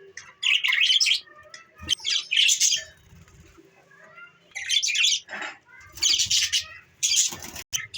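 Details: Harsh, grating warble bursts from pet budgies, recorded December 14, 2023, coming in loud clusters about a second long with quieter gaps and odd clicks between them.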